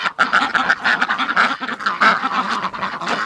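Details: Domestic female Rouen duck trying to court her keeper outside the barn, giving a steady stream of quick, harsh, nasal quacks, closely spaced and slightly uneven in loudness, with brief stutters between bursts.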